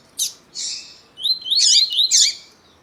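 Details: A double-collared seedeater, in a recording of a male and a calling female meant to stimulate a male, gives two high chirps, then a fast, sweet warbled phrase with sliding whistles, clear against a quiet background.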